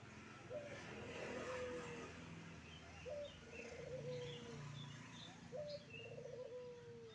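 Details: Wild zebra dove with a motorbike passing by. Three song phrases come about every two and a half seconds, each a short opening note, then a rapid rolling trill, then a long level whistle, over a low traffic rumble.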